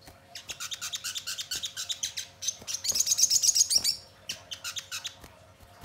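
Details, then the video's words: Sogon bird in lively song, used to make other birds start singing and answer back: steady high chattering twitters swell into a loud, fast, shimmering trill before easing off. "Pancingan Sogon Bahan Agar Cepat Bunyi Gacor dan Langsung Respon Nyaut"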